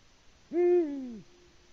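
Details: Lone male Eurasian eagle-owl, filmed on a Latvian nest camera on an early March evening, gives one low booming hoot to attract an absent female. It is rich and hollow, peaking early, then drawn out and falling in pitch.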